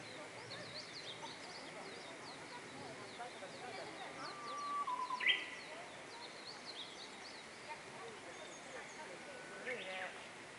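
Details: In Toyota's Kaminaka-cho weeping plum grove in Japan, a Japanese bush warbler holds a low level whistle, then snaps into a rapid rising flourish, amid many thin distant chirps from other birds and steady background hiss.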